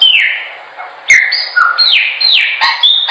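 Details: Song of a Chopi blackbird for teaching birds to sing: clear whistles slurring downward, broken by sharp clicking accents, then a series of descending whistled phrases.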